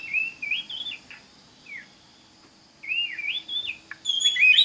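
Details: Oriental magpie-robin song for teaching other magpie-robins: soft wavering whistled phrases separated by a silent gap of about a second, ending in a louder high, trilling burst.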